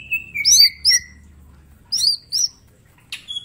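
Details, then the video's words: Mini green leafbird in 'tembakan' master song: a falling whistle, then paired high slurred notes, a pause, and another pair of sharp whistled phrases ending in a brief thin note, with a low background hum. "Cucak ijo mini gacor full tembakan bongkar materi"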